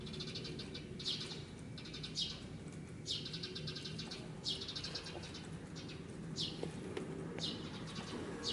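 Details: Eurasian tree sparrow parent at an apartment bicycle park, fussing noisily to draw a predator's attention away from its fledgling. Clusters of rapid, sharp chirps, roughly one burst per second, over a low outdoor rumble.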